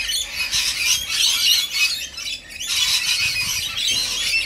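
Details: Feeding rainbow lorikeets give rapid, irregular harsh squawks and screeches in bursts, with a brief lull before the chorus resumes.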